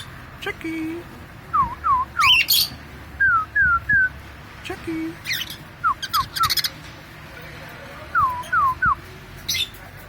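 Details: Pet cockatiel whistling short downslurred notes, mostly in groups of two or three, with occasional harsh broadband squawks and faint room noise.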